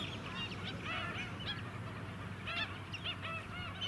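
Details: Flock of White-headed Stilts on Queensland mudflats at Scarborough, July 2017, giving bursts of short honking yelps in clusters, busiest near the start and middle, over a low mechanical drone.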